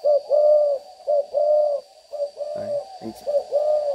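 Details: Young spotted dove, newly showing its full neck collar, practising its cooing with low, mellow coos in short phrases, roughly one a second, with a man talking in the background.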